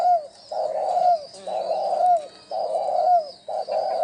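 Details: Spotted dove giving a luring coo used as a decoy to attract wild doves: low, mellow, rolling coos in phrases about a second long, repeated roughly once a second, each ending in a short downward slur.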